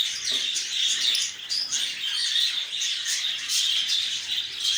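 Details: Continuous high, squeaky twittering and sharp chirps from lovebirds. Several birds call at once in an unbroken, noisy chorus.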